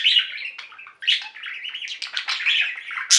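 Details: A flock of pet budgerigars singing together indoors: a continuous chattering warble of chirps and buzzy notes, with a loud burst opening and closing the stretch.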